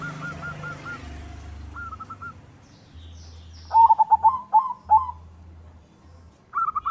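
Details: White zebra dove singing to stimulate other doves and raise their urge to sing. Soft, distant rolling coos open the clip. A loud burst of quick, pulsing, trilled coo notes follows mid-clip, and another phrase begins at the end. Low hum runs throughout.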